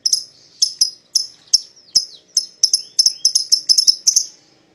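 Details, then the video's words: A pair of paud lovebirds sings as a lure to make a rival join in: crisp, high chirps that start spaced apart and then come in quicker clusters. "PASANGAN LOVEBIRD PAUD,!Pancingan Memanggil Lawan Agar Ikutan Bunyi"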